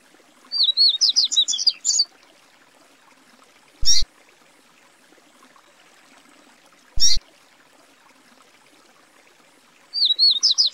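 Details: A Yellow-bellied Seedeater (papa-capim, Sporophila nigricollis) from Brazil sings a quick, high, twittering phrase of sweet warbled notes, repeated after about eight seconds; two sharp knocks sound between phrases.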